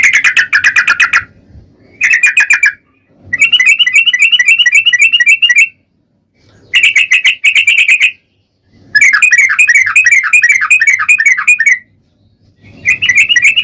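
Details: Sooty-headed bulbul song used as a lure to prompt other bulbuls to sing: bursts of rapid bubbling, warbled notes repeated in quick runs, separated by short silences, with a faint low hum underneath.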